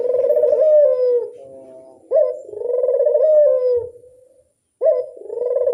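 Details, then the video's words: Doves coaxed in by a repeated lure call: low, rolling coos, each opening with a sharp accented note, then a drawn-out purring tone that fades, repeating about every two and a half seconds. "Pancingan burung puter mamtap nembak"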